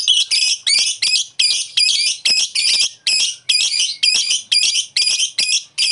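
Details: Lovebird call used as a lure to provoke a rival lovebird into calling: harsh, high, scratchy chirps in quick broken bursts, about two per second, steady throughout with no other sounds.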